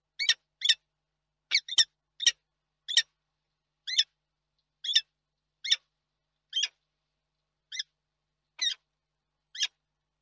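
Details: Peregrine falcon at its nest in Reda, Poland, 31 March 2022: a series of harsh, stacked calls repeated roughly every half second to one second, in short bursts of one or two notes, against a silent background.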